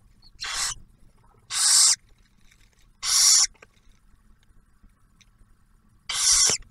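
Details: Nest of barn owls near Oak Harbor, Ohio, Ottawa National Wildlife Refuge, 2023, male bringing food and female feeding the newly hatched owlet. Four breathy, high hissing screeches separated by pauses of one to three seconds.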